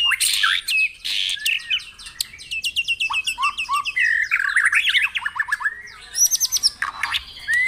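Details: White-rumped shama in full song, used to stimulate caged birds: harsh opening bursts, then rapid repeated notes, slurred whistles and a cluster of very high rising chips near the end.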